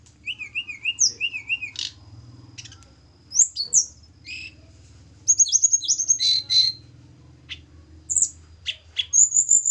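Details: Hill blue flycatcher from Java, a caged bird being paired, gives scattered song phrases: a run of zigzag whistled notes, then sharp high chips and slurred whistles separated by pauses, ending in a quick rising whistle.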